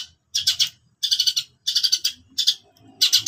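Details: Long-tailed shrike uttering clipped, harsh bursts of three or four grating notes, separated by short pauses. Soft low background noise.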